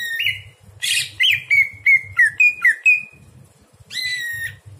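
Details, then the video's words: Greater green leafbird at night, recorded for training other birds: a quick run of short slurred whistles of even pitch, about four per second, then a bright downslurred note, above a low rhythmic rumble. "masteran cucak hijau di malam hari"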